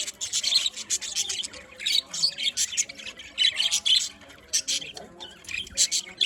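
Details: A colony of pet budgerigars calling together, with harsh squawk-like bursts and rapid high chatter coming in clusters about every second, overlapping voices throughout.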